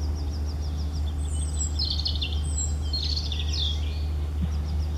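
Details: European robin singing two bright, rapid high phrases of tumbling, sliding notes, with a faint regular ticking series from another bird and a constant low drone behind.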